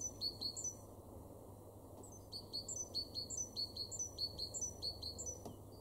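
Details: Great tit singing in an April 2023 garden in Weener, East Frisia, northwest Germany: bright two-note phrases, a high note then a lower one, repeated quickly in a see-saw rhythm over a low steady hum.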